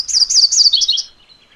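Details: MacGillivray's warbler singing a loud, rolling series of six or so buzzy two-part notes, each sliding downward, with the last phrases stepping lower before the song stops abruptly after about one second.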